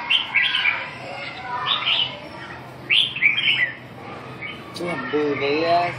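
A Red-whiskered Bulbul sings short, bright, bubbling phrases every second or so, with a man's voice murmuring briefly near the end.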